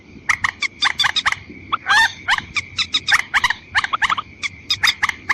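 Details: Waterhen lure sound for attracting females and males, white-breasted species: rapid, chattering series of short, harsh notes packed closely together, broken by one longer wavering squawk midway, with a faint continuous tone and low rumble behind.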